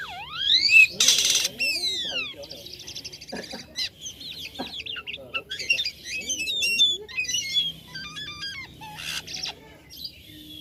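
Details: Black-winged starling singing energetically with unusual sounds: varied whistled slurs, rising and falling sweeps, harsh broadband rasping bursts and rapid stuttering notes, delivered in a busy, irregular stream with short pauses.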